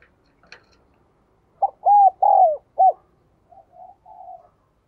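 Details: Spotted dove giving one cooing phrase: a short lead-in note, two loud arched coos, a sharp clipped coo, then a few soft trailing hums. Quiet before and after.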